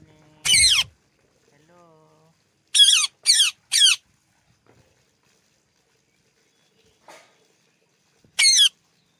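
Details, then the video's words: Green Indian ringneck parakeet, also called Alexander parrot, kept as a pet: short, harsh, shrill squawks, one alone, then three in quick succession, then another after a pause, with a low thump at the start. "Green Ringneck parrot sounds"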